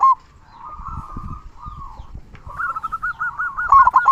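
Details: Zebra Dove, a local bird in full song with the big 'kung' voice: drawn-out soft coos, a short pause, then a quickening string of rolling, evenly pitched coo notes that grows louder at the end.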